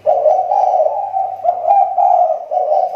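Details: Captive decoy spotted dove from the Riau Islands, recovering after its voice dropped: an unbroken run of loud, throaty, rolling coos, the notes pulsing rapidly and evenly, with a faint hum.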